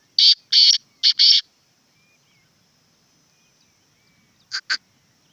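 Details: A black francolin gives a run of loud, rasping, buzzy bursts in a broken rhythm. After a quiet gap of about three seconds come two brief soft notes. A faint steady high hiss continues throughout.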